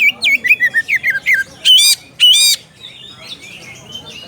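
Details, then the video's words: Oriental magpie-robin calling out to a rival: a loud run of short, bent whistled notes, then two harsh, rasping bursts, trailing into faint twittering from other birds. "SUARA KACER MEMANGGIL LAWAN."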